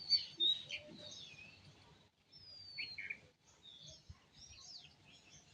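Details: Several birds chirping in the morning at sunrise: high, quick twittering notes with thin whistled slurs and overlapping calls over a faint low background hum.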